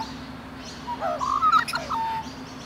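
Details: A rainbow lorikeet in Australia, cuddling with its mate; one loud, warbling, wavering squeal rises and falls in the middle, with a brief sharp click, then a softer trailing note, over a faint hum.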